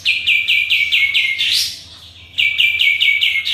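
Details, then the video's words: A lively sooty-headed bulbul gives quick, bright "shooting" chirps, about seven a second, broken by one louder rising note and a brief pause before chirping resumes; a lure call meant to make other bulbuls answer. "KAPAS TEMBAK GACOR"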